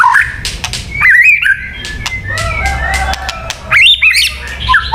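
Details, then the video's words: White-rumped shama singing for bird luring: mixed whistles, chattering notes and clicks at moderate volume, with louder swooping whistled bursts near the start and end. "Suara Burung Murai Batu yang paling baik untuk pikat"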